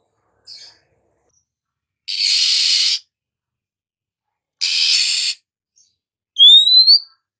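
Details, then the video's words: Morning Oriental magpie-robin giving two drawn-out, harsh, hissing rasps, followed by a single bright whistle sweeping upward. "suara burung Kacer pagi hari"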